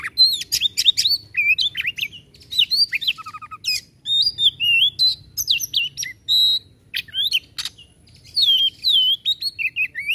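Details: Oriental magpie-robin in full, fiery 'tembakan' song, meant to rouse sluggish birds into singing: rough, rapid volleys of sharp chips, harsh buzzes and sliding whistles, with a brief low rattling trill and a few short pauses.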